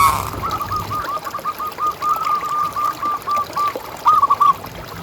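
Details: Zebra dove call played to prompt other doves to keep calling: a long series of soft, even cooing notes, steadily repeated at a mid pitch, ending with a few separated double notes over faint background hiss.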